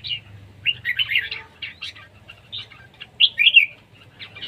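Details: Competition singing from a red-whiskered bulbul, siêng ché style: short chattering, whistled phrases in bursts separated by brief pauses, the strongest cluster of liquid notes coming late, with faint low hum beneath.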